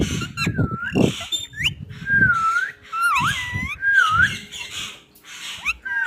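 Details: Pet parrot talking, saying "mian mitthu": a run of squeaky, voice-like syllables with swooping whistled tones, short pauses between phrases, and low thumps in the background.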